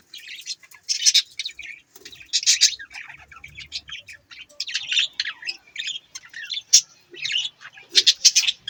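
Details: Budgies chattering in bursts of raspy, buzzy chirps and squawky notes, with short pauses between louder clusters and a few sharp high squeaks, lively and uneven.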